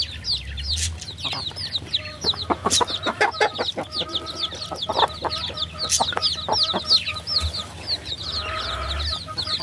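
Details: A flock of baby chickens chirping continuously, with high, quick downslurred peeps layered over one another, plus a steady mid-pitched tone and scattered clicks and scratching sounds beneath.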